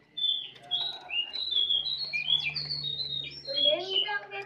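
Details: Jongkangan bird delivering a soft twittering song known as ngeriwik halus: a continuous run of high, thin, slurred whistles and chirps, some notes dropping lower near the end, with a faint low hum behind.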